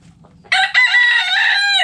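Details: Rooster crowing in a backyard chicken coop: a short opening note, then a loud, harsh, sustained crow that holds steady, after faint low murmurs from the hens.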